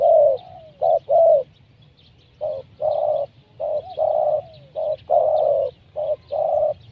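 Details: Spotted dove used as a decoy to lure wild doves down for trapping, cooing steadily: short low hollow notes grouped in phrases of two or three, some ending in a falling slur, repeated over and over with faint background chatter.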